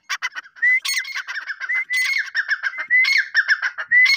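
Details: Grey francolin giving a dense run of loud, harsh, ringing call notes mixed with short rising whistles. The notes tumble together almost without pause for several seconds.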